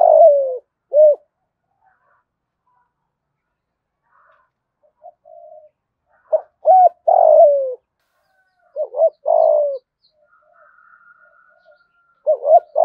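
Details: Spotted dove, 'giọng thổ' voice, cooing to entice wild doves. Several phrases are separated by quiet gaps, each made of short clipped notes and a long, sliding, descending coo, with faint soft murmurs between them.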